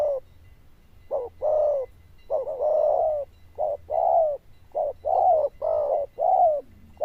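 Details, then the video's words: Bell-voiced zebra dove cooing steadily, alternating brief clipped notes with longer warbled coos, about one per second, with a low background hum. "Đồng Chuông Lớn Tiếng, Nước Gù khá Tốt"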